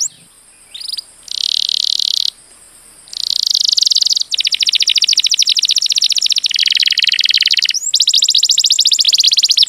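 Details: Canary song recorded for teaching other birds: long stretches of very rapid, rattling trills at several pitch levels, broken by short pauses, with a faint background hiss.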